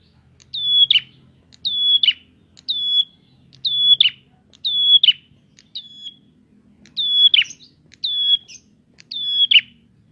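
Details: Prinia song for luring untrained prinias, nine near-identical phrases about a second apart: a bright whistle dropping to a sustained pitch, then a scratchy buzzing end. Quiet low-pitched background noise.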